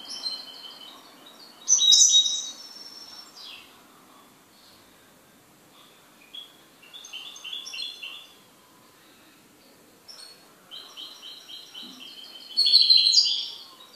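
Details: Pet goldfinch in song: loud shrill twitters alternate with strings of quick repeated high notes and short trills, several phrases spread across the recording, with quiet pauses between.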